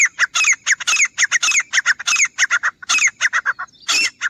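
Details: Teetar, the grey francolin, in a hunting recording: a steady stream of loud, grating, ringing notes in quick succession, a brief break near three seconds, then a final louder, rougher note.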